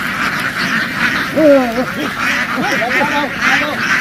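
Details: A flock of farm ducks rushing into the water and jumping back ashore in a field, noisy. Several nasal, buzzy quacks, some drawn out and bending down in pitch, over a constant rushing chatter of the flock.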